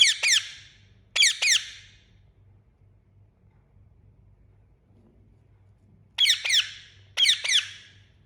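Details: Loud, harsh chirping of an Indian ringneck parakeet: two quick double notes, a long silent gap of about four seconds, then two more paired falling chirps; a low hum throughout.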